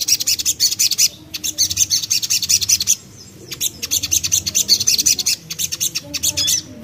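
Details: Common iora lure song to make birds sing, from a young bird: bursts of rapid high chattering notes, a brief pause near the third second, then another long fast run.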